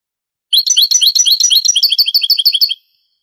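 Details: An old Spanish recording from the 1980s–90s of a European goldfinch in Granada style: a jumbled, tinkling twitter opens the phrase, then settles into quick, regular repeated high double notes for about two seconds.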